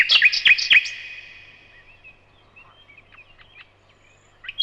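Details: Common nightingale in the evening: three loud sharp notes open the phrase, then faint soft whistles and short slurred notes trail off before a new loud note begins.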